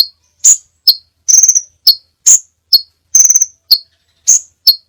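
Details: Crimson sunbird, sepah raja, varied training song: crisp high chips and short descending notes interspersed with two fast, buzzy rattling trills, delivered in irregular sequence; otherwise quiet.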